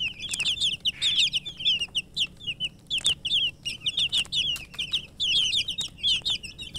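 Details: Murgi chicks, young chickens, chirping busily: crowded high, quick, downward peeps in pulsing bursts from many birds, with a few sharp taps and a brief rustle.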